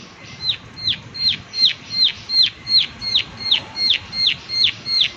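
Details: Prinia giving its 'klik klik' call outdoors: a steady run of about twelve sharp, high notes that sweep quickly downward, evenly spaced roughly three per second, over faint background hiss.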